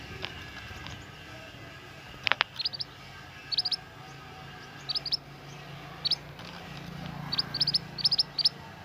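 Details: Forest-dwelling young scarlet minivet singing actively: thin, high, piercing whistles in rapid doublets and short runs, repeating throughout, plus a couple of lower chirps and steady background hiss.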